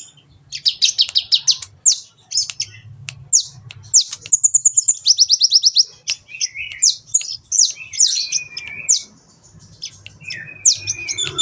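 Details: Sunbird known as kolibri ninja, recorded as training material to spur a kept bird into steady chattering song: dense high-pitched twittering with a fast run of evenly repeated buzzy notes around the middle, plus lower squeaky notes later over a faint hum.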